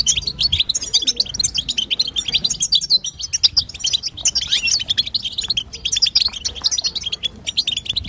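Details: Nonstop chattering of a female European goldfinch, the batbata played so that a male will sing; dense, bright, jangling twitters throughout, with only a short lull near three seconds.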